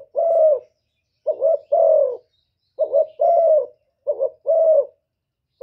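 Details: Spotted dove giving 'thổ thúc' style coos meant to provoke wild doves: four deep, hollow two-note phrases, short quavering lead-in then drawn-out coo, evenly spaced in silence.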